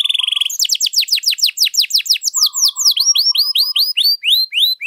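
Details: Canary singing a long, lively song used as a master recording to train or draw out other birds: a fast buzzy trill, then rapid runs of repeated high down-slurred whistles, with a soft low tone series in the middle.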